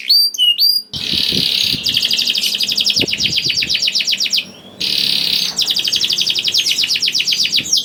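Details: Young canary (kenari paud) singing to coax other canaries into song: short chirps, then long buzzy rolling trills broken by a brief pause, with faint low knocking behind.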